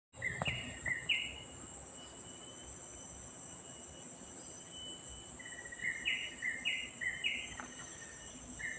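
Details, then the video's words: Songbird singing: short whistled notes stepping between two pitches in quick pairs and triples, with a pause mid-phrase. A steady high insect drone and a faint low hum run throughout. "suara burung yg berkicau"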